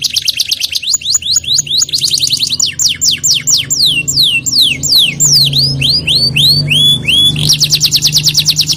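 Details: Canary singing in the rolling, shooting 'ngerol nembak' style: rapid trilled rolls of high, steeply falling whistled notes, switching between fast buzzy bursts and slower series of descending sweeps, with a faint low hum underneath.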